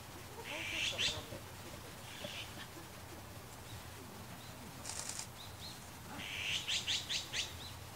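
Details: Azure-winged magpies give harsh, raspy screeches, then a quick run of about six rasping notes near the end, over a low background rumble, in Japan where a Japanese sparrowhawk was preying.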